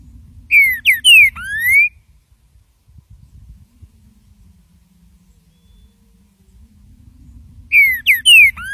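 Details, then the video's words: A Green-winged Saltator gives two loud, clear whistled phrases, each a quick run of bright sliding notes about seven seconds apart, over a low background rumble; song used for training other saltators. "ESTALANDO canto feito para treinamento de trinca ferro"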